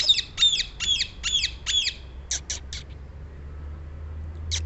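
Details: A rapid run of five harsh, descending screeches from a rose-ringed parakeet, followed by three shorter clipped squawks and one final sharp note, against faint low background rumble.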